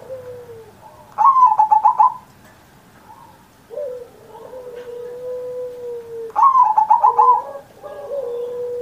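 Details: Kept zebra dove singing as a master recording to prompt other doves to sing. Two loud bursts of quick pulsed cooing stand out among long, thin whistled notes from other birds.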